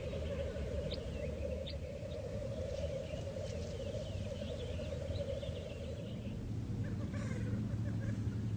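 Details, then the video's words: Black grouse at the lek: dense low rolling bubbling coos continue without pause, with faint short chirps and clicks above. "Black Grouse Lek"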